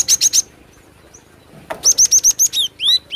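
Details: Glatik batu, the Cinereous tit, singing vigorously for bird luring. Three quick bright chips, a pause, then a fast run of six ringing high notes ending in several longer downslurred whistles.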